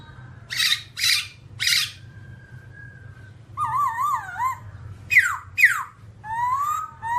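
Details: A babbler, described as all black, gives loud harsh bursts, a thin steady whistle, wavering warbled notes, then sharp descending whistles and a rising slurred note, over a low steady hum.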